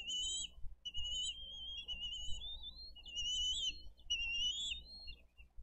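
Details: Bald eagle nest in Dade County, 22 April 2023: parents carry in fish and feed the young, the elder eaglet eating a lot. Drawn-out high whistles, wavering and slightly rising, follow one another in a near-continuous chain over background rumble.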